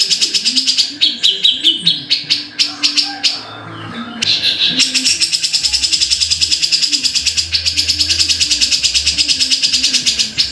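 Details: Cucak jenggot, the grey-cheeked bulbul, chattering in rapid harsh repeated notes, with a short break midway before a long unbroken rattling run; soft low hum underneath.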